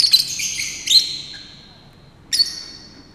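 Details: Male Fischer's lovebird singing a little song while dancing, captive at Saarbrücker Zoo, 30 May 2018, recorded on a Nikon D3200: three shrill, high chirping bursts at the start, near one second and after two seconds, each fading into a thin sustained tone.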